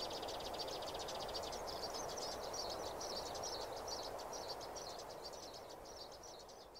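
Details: Sparrow chirps recorded during trapping: a fast run of sharp high notes, about three or four a second, continuing throughout and fading slightly near the end, with steady hiss behind.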